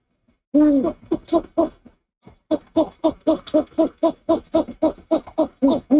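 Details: Male owl standing at the nest after a rat delivery on 04/06/23, early morning, uttering a long run of rapid low hoots, about four per second, after a brief opening pause.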